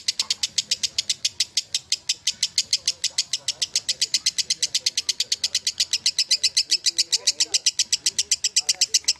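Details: A lovebird keeps up its ngekek song, dense rapid-fire squeaky chips repeated without a break for nine seconds, bright and harsh, with faint voice-like sounds low in the background.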